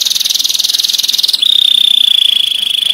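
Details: Canary tembakan master song for training other birds: a quick, pulsing high trill breaks into a long, thin, steady whistle held on one pitch.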